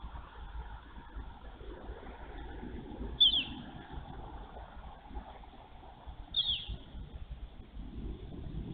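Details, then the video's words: Female bald eagle at a nest on a live nest camera, 23 March 2023, calling the male during a nest changeover: two brief, sharp, high chirps about three seconds apart over a steady low rumble of wind or traffic. "NANCY CALLS MALE. CHANGE OVER IN NEST. BIRDS VOICES"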